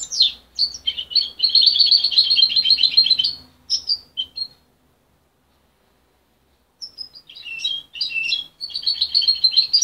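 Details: Parent-reared young goldfinch hybrid, separated at 23 days, practising its still-jumbled song: sharp chirps leading into a rapid trilled chatter, a silence of more than two seconds, then renewed twittering phrases.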